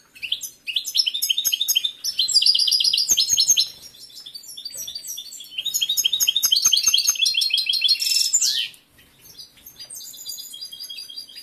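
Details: Competition male goldfinch kept indoors in full breeding condition sings a long, fast, liquid twitter of high notes and trills, pausing briefly mid-song, then a sharp rising slur before quieter closing chirps; the female ignores him.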